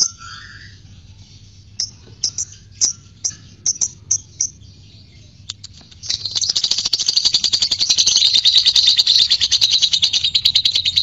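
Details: Fighter lovebird, audio meant to spur lovebirds into long ngekek chattering: scattered sharp chips for six seconds, then a loud, continuous, rapid rattling chatter that runs unbroken to the end.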